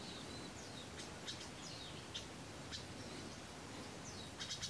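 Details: Barn swallow nestlings in the nest at Kardzhali, Bulgaria, give begging calls: thin, high chirps and short falling squeaks, scattered irregularly over a steady background hiss.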